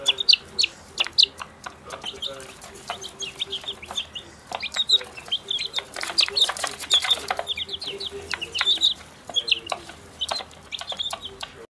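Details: Small flock of Pekin bantam chicks, school-raised from eggs, enjoying their first day out in the sun; a continuous chorus of shrill, descending peeps with loud clicks and scratching noises throughout.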